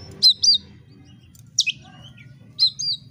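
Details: Oriental magpie-robin song played to provoke another bird into fighting: three short, sharp, high whistled phrases at about one-second intervals, each a quick slurred note, over a low steady hum.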